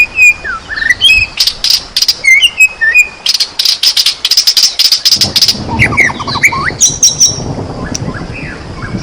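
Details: White-rumped shama singing as bait to set other shamas off: varied whistled slurs and chirps broken by dense, high rattling buzzes, constantly changing phrases.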